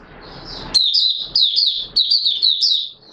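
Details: Oriental white-eye (Mata Puteh Raja) singing on 24 March 2022: after a soft, muffled opening, a lively string of high, warbled, twittering notes in quick succession.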